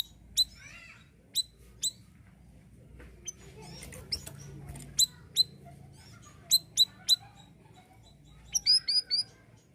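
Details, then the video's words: Siri-siri bird singing steadily for other songbirds to learn: scattered sharp high chirps, some in quick pairs, ending with a rapid run of four or five chirps. "BURUNG SIRISIRI GACOR UNTUK MASTERAN,PANCINGAN JUGA OKEH"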